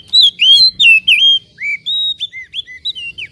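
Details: Loud whistled phrases from an Oriental magpie-robin, a lure meant to excite a bird and make it open its tail; clear, swooping notes, some rising, some falling, delivered in quick succession with short pauses.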